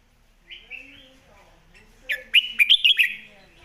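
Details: Red-whiskered bulbul master song for teaching birds: soft warbling opens, then a loud, rapid string of five or six ringing, upward-flicking whistles and a fading tail.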